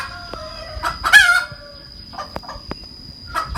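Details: A hen's cackle: scattered short clucks, one loud harsh squawk near the start, then sparse quieter clucks and clicks. A steady high tone hums in the background.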